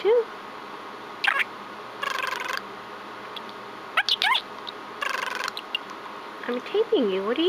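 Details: Pet budgerigar chattering indoors to its owner: bursts of buzzy scratchy warble, quick clicks and a few curving whistles with gaps between them, while a woman talks softly to the bird over a constant room hum.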